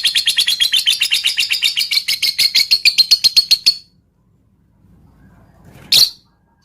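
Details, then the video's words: Typing-like ngetik lovebird song with tight pauses, meant to spur other lovebirds to sing: a rapid run of high clicking chips for almost four seconds, then silence and one sharp squeak. "Pancingan Lovebird Full Ngetik Jeda Rapat Untuk Memancing Burung Agar Cepat Panas"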